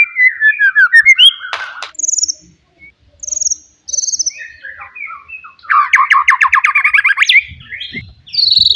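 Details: Wild forest white-rumped shama giving loud song meant to provoke rivals: rich varied phrases of clear whistles, rapid buzzy trills and sharp high notes, separated by brief pauses.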